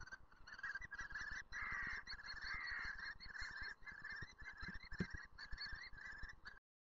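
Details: A common kestrel in Lausen screeches harshly and nasally in quick, almost unbroken runs for about six seconds, with low thumping wind or handling noise underneath.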